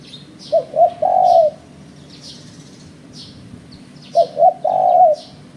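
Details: Low, mellow spotted dove call used in bird luring, two phrases of two clipped hoots leading into a sustained trailing coo, separated by a pause of about three seconds, over steady high chirps repeating near once a second.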